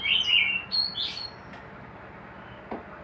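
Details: White-rumped shama kept for breeding in a hanging cage gives a brief run of clear, bright whistled notes, some sliding and warbled, for about a second, then falls silent; a faint click follows, over steady low room noise.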